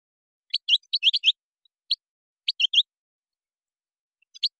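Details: European goldfinch, Moroccan song style with gazarat and srrr bertbertio, gives short clusters of sharp, high chirps in quick groups of two to four, separated by brief silences.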